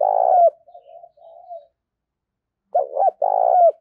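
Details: Spotted dove kept as a decoy in rural Đồng Nai, Vietnam, giving driving 'gáy thúc' coos to attract wild birds: a loud long coo trailing into soft murmurs, then after silence a double coo and a drawn-out final note.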